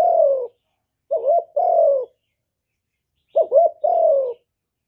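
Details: Spotted dove, kept for stimulating other captive doves, in a full song of calling, urging and cooing: mellow low coos in pairs, a quick warbled note followed by a longer slurred falling coo, repeated about every two seconds, no background noise.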